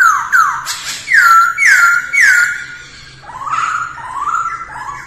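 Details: Masked laughingthrush in early-morning voice training: loud sweeping downslurred whistles in slow sequence, then softer, lower stepped whistled notes.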